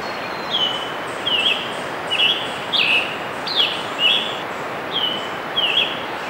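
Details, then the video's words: Song of a scarlet tanager, June 3, 2015, Letchworth State Park in Upper New York State: a steady string of about eight rough, burry two-part phrases, each roughly half a second apart, with faint high ticking and background noise. "Scarlet Tanager"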